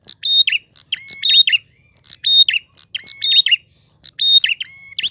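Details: Clear-voiced prinia in gacor ngalun style, delivering about five quick phrases, each mixing a high held note, a lower level whistle and a rippling downward flourish, with brief gaps between and a quiet background.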